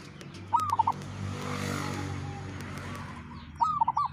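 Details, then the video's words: Local wild zebra dove with a strange call: two brief clusters of rapid, bubbling mid-pitched coos about three seconds apart, over a constant low rumbling background noise. "Perkutut lokal suara aneh"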